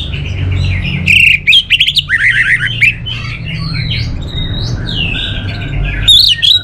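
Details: Orange-headed thrush, a caged songbird from North Bali, Singaraja, delivering loud varied chattering and whistled phrases, some sharp and repeated, others sliding, above a continuous low hum.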